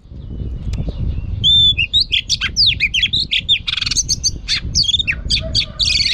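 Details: Female oriental magpie-robin singing in a varied, trained stimulating style: fast whistled phrases, sweeping slurs and buzzy trills with many shifting notes, loud and continuous, over low background rumble.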